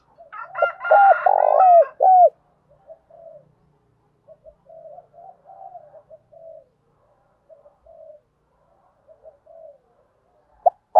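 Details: Caged decoy spotted dove giving rapid coos to draw in wild birds. Loud, rich coos in the first two seconds, then a long run of soft, murmured low notes in uneven bursts, with a sharp knock at the end.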